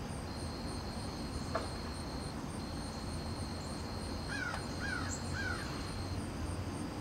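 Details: Perched red-shouldered hawk calling territorially at rival hawks: three faint, harsh, downslurred notes about half a second apart near the end, over a steady insect drone and a constant high whine.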